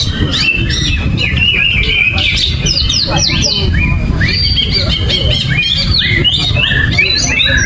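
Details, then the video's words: Greater green leafbird, no banana and no cover, pours out varied loud whistles, sharp downward swoops and chattering notes in quick succession, against steady low-frequency rumble. "Cucak Ijo Gerabakan No Pisang , No Kerodong , Cuaakkzzz !!!"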